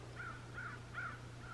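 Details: Wild crows calling in the distance in early spring up north, new visitors to the area: a run of four faint, arched, hoarse caws in quick succession over a steady low hum.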